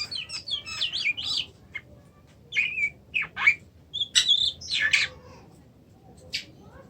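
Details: Oriental magpie-robin (kacer) recorded in Indonesia: a chattering opening, then a string of sharp whistled and scratchy notes in quick groups, ending with a lone high note after a pause.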